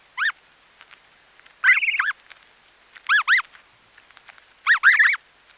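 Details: Close feeding snow goose goslings utter high, arching peeps, singly and in doubled or tripled clusters, with one longer wavering trill. Grass is plucked between calls, making dry snaps.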